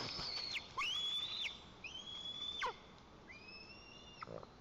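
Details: White-tailed eagle chicks in their nest in Lower Kama National Park, Tatarstan, on July 20, 2024, during the first fish delivery, give thin, high, drawn-out whistles, four in under five seconds, each holding steady then dropping sharply at the end.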